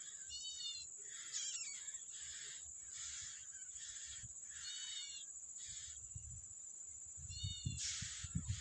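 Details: Yellow-bellied prinia feeding its young outdoors: twangy, harmonic mewing notes and buzzy rasps repeated about once a second, with a steady shrill insect drone and a few low knocks near the end.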